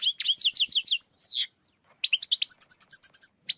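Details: Trapping-lure song of a European goldfinch: a quick run of bright slurred twitters ending in a short buzzy note, a brief pause, then a string of sharp high chips repeated several times a second.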